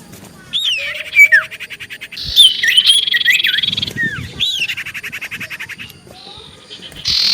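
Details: Common iora in chatty song used to make other ioras respond: downslurred whistles alternating with loud grating rattles and sharp buzzy trills.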